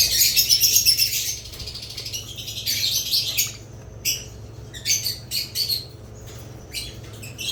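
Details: Budgerigars chirp with a loud scratchy warble at first, then quieter clipped chirps repeated in quick separate bursts, over a low background hum.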